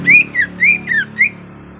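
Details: Sirtu used as a lure sound to draw response from reluctant birds, recorded 18 October 2021: five clear whistled notes, alternately rising and falling, roughly every quarter second, over a low steady hum.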